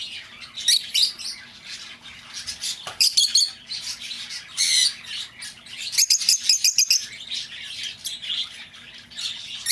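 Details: Lovebirds calling, for recovering an escaped bird: continuous busy twittering of shrill squeaks and harsh chirps, rising into louder clustered bursts at intervals, with no pause in the chatter.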